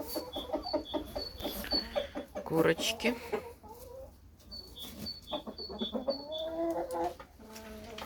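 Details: Hens walking outdoors on a sunny, warm April day cluck in short, low, repeated notes, with a man talking at times and thin high chirps of small birds behind.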